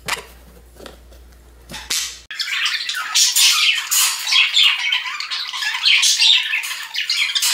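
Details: A household budgerigar chatters in a long, dense run of scratchy, squawky chirps and clicks, continuous and uneven, after a short quieter opening with a faint hum.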